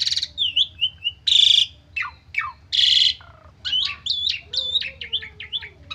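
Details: Asian pied starling giving a stressed, fully filled-in lure song: a warbled opening, two loud harsh rasping bursts separated by falling slurs, then quick repeated chattering whistles.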